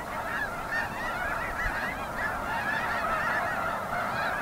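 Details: A large gathering of snow geese keeps up a continuous din of honking, with countless yelping calls layered over one another at an even loudness throughout.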